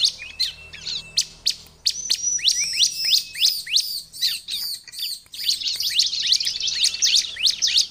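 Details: Bar-winged prinia song compiled as a lure for wild prinias, singing vigorously: rapid high chirps and sharp down-slurred notes, with a thin sustained whistle early on, building into a dense, busy chatter in the final seconds.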